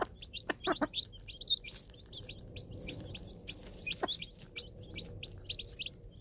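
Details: Free-range game hen clucks to her day-old Minorca cross chicks while offering bits of food: a quick burst of low clucks early, one more later, over constant shrill chick peeps.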